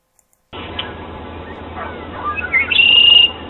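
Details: Male Red-winged Blackbird in Toronto in spring, back before the later-arriving females, gives his territorial song to attract them: a few soft introductory notes, then a loud, high, buzzy trill of about half a second over a faint low hum.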